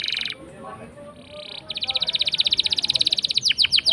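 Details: Canary in full, long-lasting song meant to coax quiet canaries into singing: a buzzy high burst, a pause, then a rapid even trill of rolling pulses ending in downslurred notes.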